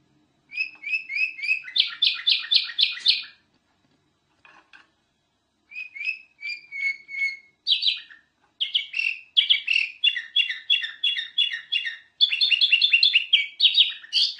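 A golden-fronted leafbird sings a rapid, varied run of high chirps, trills and clear whistles, broken by a short pause and then resumed with busy chattering phrases.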